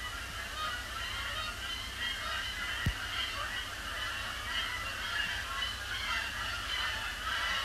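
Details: Canada Geese flying in after sunset on 12 October 2017, circling over Sapsucker Woods Pond at the Cornell Lab of Ornithology under heavy overcast; distant, scattered honks over a steady low rumble, with one sharp knock.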